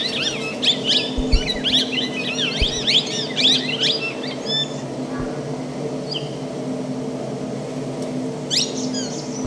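Plum-headed parakeets chatter in quick shrill, squeaky notes for about four seconds, then give a few scattered calls over a steady mechanical hum.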